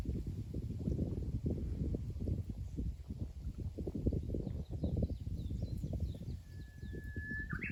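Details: Japanese bush warbler song near the end: a long, steady whistle held for about a second, then a short twisting flourish, with heavy low wind rumble throughout and faint high chirps in the background.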